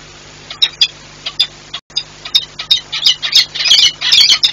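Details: Peregrine falcons Werwa and Rafik sound the alarm at Orlen Płock on 7 March 2022, perhaps at an intruder near the chimneys, though none is seen: harsh, grating cries, scattered then an intensifying raspy run over a faint hum.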